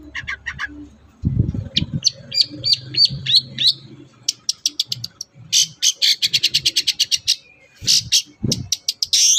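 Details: Captive long-tailed shrike song used to stimulate singing in other birds: scratchy chattering opening, repeated whistled slurs, then a long rapid rattle of dry clicking notes, with low knocks.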